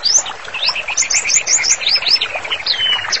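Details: Energetic white-rumped shama song used as therapy master song: brisk sequence of high upswept whistles over lower chattering notes, closing with a longer descending whistle.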